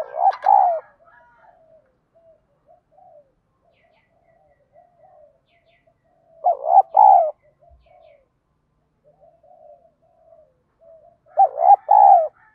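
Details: Spotted dove in giọng đồng style song, used to provoke decoy doves to fight and coo; three loud coo phrases about five seconds apart, stuttering notes then a long falling coo, with soft scattered murmurs between.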